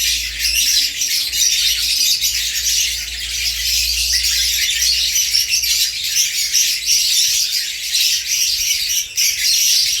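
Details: Newly transferred caged pair of African lovebirds, a parblue opaline hen and a sable violet clear pied ino male, acting territorially toward the neighbouring cage on 20 April 2020: continuous shrill, high-pitched chattering and squeaking without pause.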